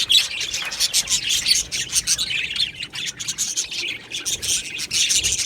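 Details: Australian budgerigars in an aviary colony chirping together: dense, overlapping high twittering and chattering, with sharp bursts pulsing roughly every half second and no pause throughout.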